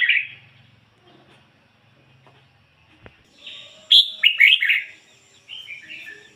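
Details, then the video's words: Red-whiskered bulbul used as a decoy, singing in ngoi bổi style: a brief warble at the start, quiet gap, then a loud whistled phrase of bouncy warbled notes and a softer closing trill. "chim chào mào mồi hót ngoi bổi giọng chuẩn"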